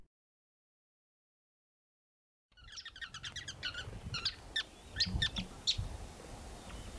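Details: Sociable weavers at their massive communal nest in arid country: after a silent opening, a rapid series of short, sharp chirps in quick bursts, several birds calling together, with low rumbling background noise.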